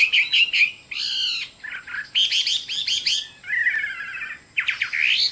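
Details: Chinese hwamei in full song, delivering loud varied phrases of rapid slurred whistles, trills and rich warbled notes in bursts separated by short pauses.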